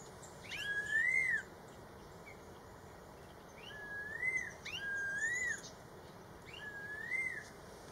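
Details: Red-tailed laughingthrush (Trochalopteron milnei) in Yunnan, China, 2020, gives four clear, slurred whistles, each rising then dipping, spaced about every one to two seconds over a faint steady hiss.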